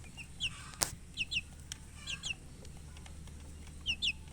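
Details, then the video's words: Colored chickens chirping in scattered pairs of thin, high, falling peeps with short gaps between, one sharp click near the start, and a low background hum. "silly chicken chirping sounds"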